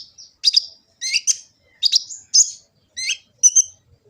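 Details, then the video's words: Gresik, East Java: a kolibri ninja sunbird, phone-recorded for tutoring other birds, gives short clusters of shrill high chirps and squeaky double notes, about two groups per second, in a quiet setting. "Kicau burung kolibri ninja full isian"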